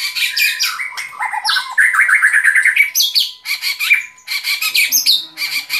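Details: White-rumped shama pouring out a continuous varied song of quick chattering notes, high whistles and trills in rapid succession, over a faint constant hum.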